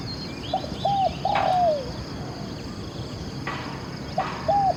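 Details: Spotted dove cooing during a decoy luring session (ต่อนกเขา): short curved coos in a pair of notes near one second, repeated near four and a half seconds, over a steady background hiss.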